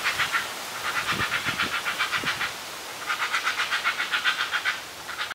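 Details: Begging of two heron chicks at a treetop nest roughly 10 meters up during feeding: continuous grating, pulsed chatter, rapid and rhythmic, louder toward the end, with a few low thumps early on.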